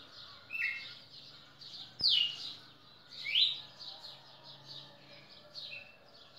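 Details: Pernambuco, 10 December 2017, red-cowled cardinal: sharp upward-sweeping whistles at about two, three and a half and five and a half seconds, a click near two seconds, and continuous high rhythmic chattering behind.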